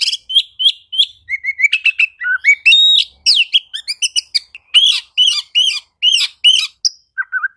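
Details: Oriental magpie-robin in rapid, varied song: clear whistles, sliding and rising notes, and sharp chips. The notes come in quick runs, with brief short pauses between phrases. The background is quiet.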